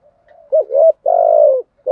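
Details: Decoy spotted dove giving a challenge coo meant to provoke wild birds: a soft lead-in, two quick hollow notes, then one long, even, slightly falling coo.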